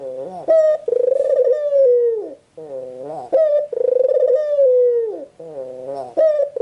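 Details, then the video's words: White Barbary dove repeatedly cooing indoors, each phrase a low rising lead-in, an abrupt higher note, then a long purring coo that drifts downward, about three phrases in under seven seconds. "SUARA BURUNG PUTER PUTIH"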